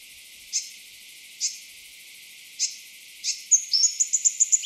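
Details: Four well-spaced high ticks, then a quick run of bright, evenly repeated whistled notes from an eastern double-collared sunbird of an East African sky-island population.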